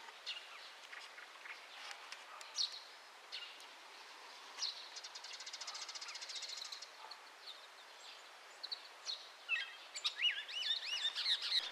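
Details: A chestnut-cheeked starling sings in a home garden on 5 May 2012: high squeaky chirps and a buzzy rattling trill, ending in wavering whistled notes, over a soft background hiss.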